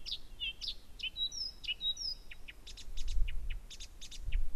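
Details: Loud night song of a Blyth's reed warbler at Gerå Engvej, Denmark, 15 June 2014, 1 a.m., singing without a break: bright whistles and quick buzzy notes, then a run of short clicky notes repeated several times, over faint low rumble.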